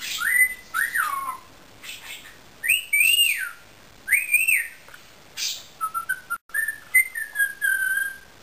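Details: Pet Indian ringneck parakeet whistling: clear tonal slurs that rise and then drop, repeated in short bursts, ending in a run of quick level whistled notes, with no other sounds.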